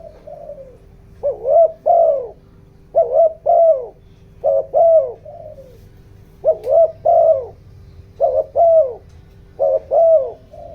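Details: Decoy spotted dove with 'giọng đồng' voice, kept to rouse wild birds: rhythmic mellow coos in doubled notes, some phrases ending in a drawn-out falling coo, repeated every one to two seconds, faint hum behind.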